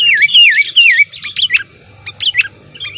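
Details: Active sooty-headed bulbul used for luring wild bulbuls: three wavy, bouncing whistled notes, then short sharp chirps scattered irregularly over a quiet background.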